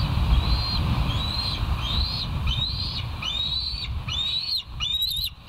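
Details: Bald eagles on the West End nature live cam, morning of 18 August 2023, 06:50: a steady series of about eight high, thin whistled notes, each rising then dropping, roughly one per second, over a constant low rumble.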